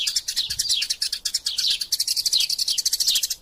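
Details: Eurasian tree sparrows fighting, energetic chatter for tutoring magpie-robins: loud, rapid high-pitched chirps packed closely together, with falling slurred notes mixed in, continuous throughout.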